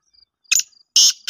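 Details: Black francolin giving two loud, rasping, broadband call notes half a second apart, with a third starting at the end, over a thin, steady, high-pitched cricket-like ticking.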